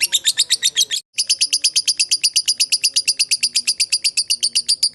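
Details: Lovebird ngekek used as a fighter lure: a long, fast chatter of sharp, high repeated notes, about six per second, with a brief break near the first second before the string resumes.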